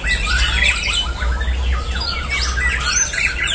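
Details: Caged murai batu (white-rumped shama) trained for song competitions, dueling in a contest simulation; fast jumbled whistles and chirps about three to four per second, overlapping calls, steady low background hum.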